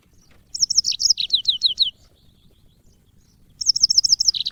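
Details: Yellow-fronted canary (burung mozambik, African) singing as training audio for cage birds: two bright high phrases of about ten quick chirps, each slurring downward, separated by a quiet gap of over a second.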